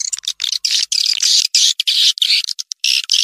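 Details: Swiftlet lure call: harsh, buzzy twittering squawks in long, fast-running bursts that are only briefly broken, all high-pitched.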